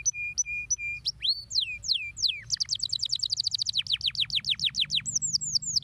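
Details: Canary singing to stimulate other canaries: repeated flat whistled notes, then looping slurs, a long rapid trill of fast downward strokes, and closing high chirps, with a faint low hum.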